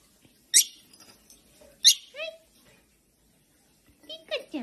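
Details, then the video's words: Pet lovebird playing with a ball gives sharp, shrill chirps and a few short, bent chattering notes in scattered bursts with quiet gaps between. "Lovebird Parrot Talking"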